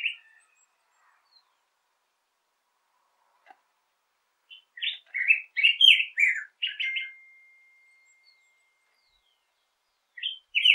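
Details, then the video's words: Black-headed grosbeak song variation: after a quiet stretch, a burst of quick, varied warbling notes tumbles out around the middle, then silence, with another brief phrase near the end; no other sounds. "Black-headed Grosbeak Singing - Picogrueso Pechicafé Cantando"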